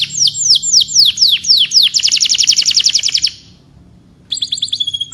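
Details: Canary singing a series of downward whistles that speeds into a rapid trill, falls silent for about a second, then resumes with high thin notes.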